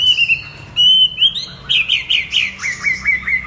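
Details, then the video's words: Chinese hwamei singing: clear whistled notes held steady, then a run of rapid, slurred phrases rising and falling, ending in short repeated downward-swooping whistles. "Tiếng chim hót đặc biệt với tiếng hót líu lo"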